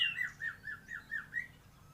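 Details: White-rumped shama in kapas tembak filling style: five or six harsh, squawky, slurred notes in a quick repeated series, fairly even in pitch, with a faint low hum behind.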